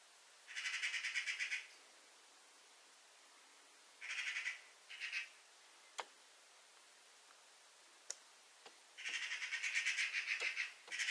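A Eurasian magpie gives harsh, rattling chatters, rapid dry bursts of about a second, repeated three times with a few sharp clicks between.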